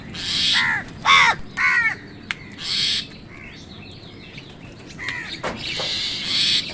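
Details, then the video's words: Wild birds squabbling with crows over food: loud rasping crow caws repeated about twice a second, with a softer chattering call and a sharp click in the middle. "Crow Sound কাকের ডাক Wild birds fight with crows for food | Crow Bird Crowing Sound"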